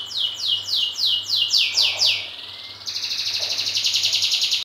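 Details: Kept canary from a top breeding line, raised with good care and quality feed, singing a series of bright descending whistled sweeps that switch into a fast, even, high trill, with a low steady hum behind.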